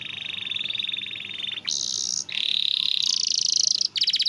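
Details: Canary training song: soft fast trill, then brief gaps between high buzzy rolling phrases and a closing rapid trill.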